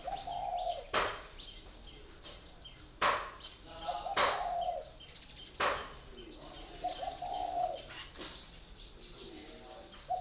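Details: Four-year caged spotted dove used as a decoy sings low, hoarse coos at irregular intervals. Repeated sharp clicks and flapping or rustling noises accompany it.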